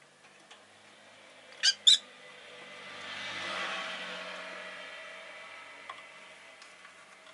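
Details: Rosy-faced lovebird (Agapornis roseicollis) gives two shrill, piercing chirps in quick succession, followed by a soft rushing hiss that swells and fades in a quiet room; street noise from cars, motorbikes or bicycles may occur.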